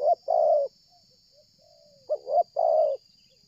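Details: Spotted dove cooing loudly while approaching from a distance during dove luring; short hiccuping note followed by a long, level, hoarse coo near mid pitch, the phrase given twice with a quieter slurred note between.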